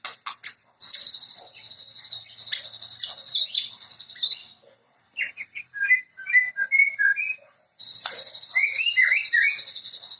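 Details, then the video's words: White-rumped shama (murai) song: high chattering and warbled whistles over a buzzy trill, a pause, a sequence of clear varied whistled notes, then renewed rapid chatter with lilting slurred whistles. "Sound Of Murai Bird"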